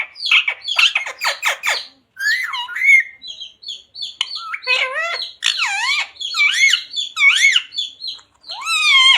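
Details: Pet ring-necked parrot, talking and repeating Radhe Radhe and Sita Ram. A rapid run of harsh squawky notes comes first, then drawn-out, speech-like phrases with curving harmonic pitch, some bending up and others bending down, in clean indoor sound.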